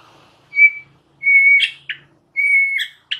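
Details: White-rumped shama in gacor style for training caged birds, giving level pure whistled notes, each followed by a short buzzy flourish, repeated about three times.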